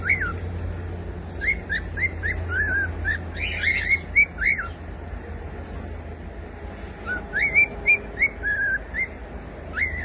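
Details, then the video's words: Cockatiel whistling rapid bursts of short chirpy notes, bent up and down in pitch, in two clusters separated by a pause, with constant low-pitched background noise. "SOM DE CALOPSITA CANTANDO"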